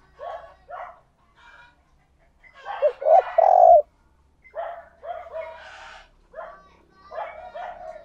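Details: Luring coos of a decoy spotted dove: a loud cluster of deep, hollow notes in the middle, with quieter, scattered cooing notes before and after.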